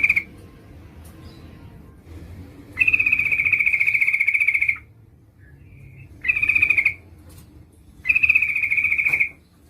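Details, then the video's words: A female Yellow-vented Bulbul calling to the male, used to lure rival birds. Three steady, even, buzzing trills, the first long and the others shorter, stand out from a constant low background noise. "Suara burung trucuk gacor memanggil lawan pancingan trucukan betina memanggil jantan agar bunyi"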